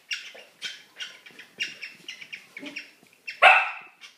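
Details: Pet cockatiel during mating giving rapid, harsh, chattering chirps in quick succession, ending in one louder screech.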